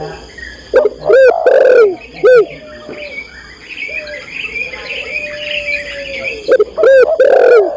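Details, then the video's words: Female spotted dove calling the male with loud clipped coos at the start and end, while a stretch of softer twittering and chirping from other birds fills the middle. "tekukur/derkuku betina memanggil jantan"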